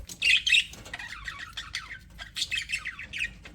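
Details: Pet budgerigars in an aviary, said to be happy, give two loud high chirps, then a string of soft warbled chattering notes that rise and fall, several birds calling at once.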